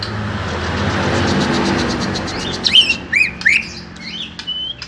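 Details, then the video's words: Small-bodied greater green leafbird: after a stretch of broad rushing noise, a few sharp, loud chirps and slurred whistles, rising and falling, spaced under a second apart, ending in a short clear whistle. "Setting Cucak Hijau Body Kecil"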